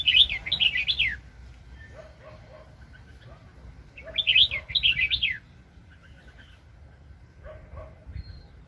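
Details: Red-whiskered bulbul, a very aggressive decoy bird used in trapping, 2020: two bright warbled phrases of quick rising and falling whistles, about a second each and four seconds apart, then a fainter third phrase, over low background rumble.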